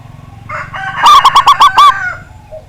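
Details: Local zebra dove with a big voice, kept for drawing rival birds into song: a single phrase of about six rapid, bouncing coo notes, slightly softer notes before and after, over a faint low rumble.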